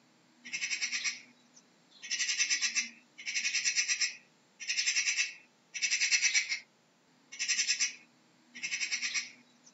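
Harsh, rasping magpie chatter in seven grating bursts, each about half a second long, coming roughly once a second over a quiet background.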